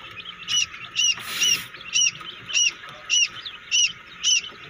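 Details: Freshly hatching quail chicks calling in a homemade incubator: evenly spaced, piercing high peeps about every half second, with one short hiss of noise near the start.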